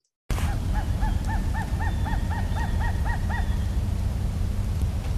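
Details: Steller's sea eagle (Haliaeetus pelagicus), a vagrant individual in Massachusetts, North America, calling: a rapid series of about ten thin, arched yelping notes over roughly three seconds, against heavy low rumbling background noise.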